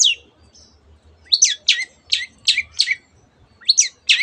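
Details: Long-tailed shrike copying canary and many other birds; after a quiet start, sharp, loud, high chirps come in a quick series of about six, then pause, then two more. A faint low hum sits underneath.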